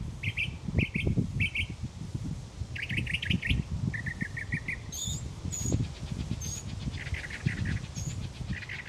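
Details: A mockingbird singing endlessly each morning to find a mate: repeated chirp phrases, a run of buzzy notes, then high thin whistles, each type given several times before changing, over low background noise.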